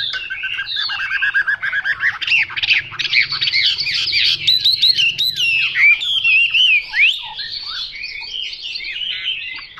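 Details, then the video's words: Hwamei song as a rapid, unbroken flow of loud, rich whistled notes. The bird mixes quick slurred trills with sharper chirps and sweeping glides, and keeps up the varied phrasing with little pause throughout. "Họa mi mộc dở 09"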